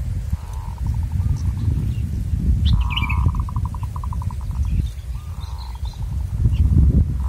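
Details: Wild zebra dove calling in a trapping context, delivering long rapid strings of staccato coo notes, one loud extended series in the middle, with an occasional high chirp from another bird over steady low rumble.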